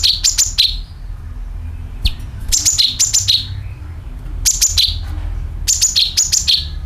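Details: Sooty-headed bulbul call with rattling, played to attract birds: loud, bright phrases of three to four sharp chirps and falling slurs, repeated about every two seconds over a low hum.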